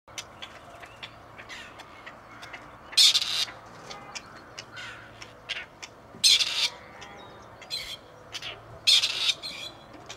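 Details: Two wild male grey partridges, once released by a conservation project, back at Tullow seeking females: harsh rasping bursts, each about half a second, spaced irregularly a few seconds apart, with faint ticks and rustles between.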